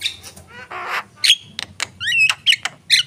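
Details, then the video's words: Javan myna singing vigorously: harsh rasping bursts alternate with short sharp whistles and clicks, a dense chattering passage in the middle, then bright upward-slurred whistled notes toward the end. "jalak kebo gacor"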